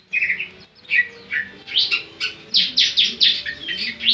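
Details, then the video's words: Javan sunbird (ciblek) song of sharp, high, clipped chirps, first in short bursts, then speeding into a regular rapid series of bright descending notes, over a faint low background hum. "Ciblek Semi Gacor"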